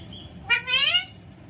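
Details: Pet Alexandrine parakeet in a playful mood, giving a single drawn-out harmonic call that rises and then falls over about half a second, with a quiet indoor background.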